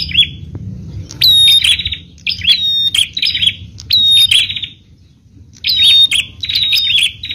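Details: Bar-winged prinia singing loud, high, buzzy trilled phrases in quick bursts, with brief gaps and a sharp whistled note, over a faint low rumble. The song is used to lure other prinias into calling.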